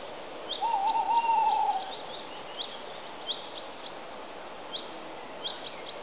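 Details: A wavering, quavering hoot of a tawny owl (Strix aluco) from southeastern Bilogora, Croatia, lasting about a second. Soft, repeated high ticks and a broad background hiss continue after it.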